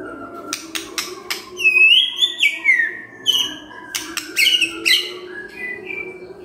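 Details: White-rumped shama in morning song, meant to stir a quiet bird into answering: a sliding whistled phrase followed by short chirps and crisp click-like notes over faint background hum.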